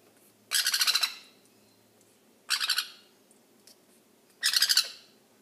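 A young sun conure gives three harsh, raspy squawks, each about half a second of rapid pulses, spaced two seconds apart in an otherwise quiet room.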